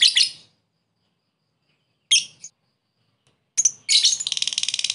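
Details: Lovebird calling a rival in ngekek style for luring: two brief harsh high chirp bursts separated by silence, then a sharp note leading into a rapid pulsed chattering trill.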